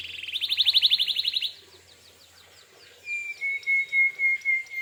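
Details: Gacor canary in full song, meant to provoke other canaries into replying: a rapid pulsing trill, faint ticking notes, then a string of steady pure whistled tones.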